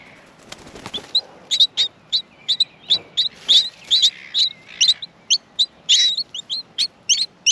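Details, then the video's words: Australian miner nestlings in the nest being fed: a burst of wing flutter, then a rapid, uneven run of sharp high chirps, several each second, rising in intensity as the chicks beg for food. "Australian Minor baby birds in the nest feeding"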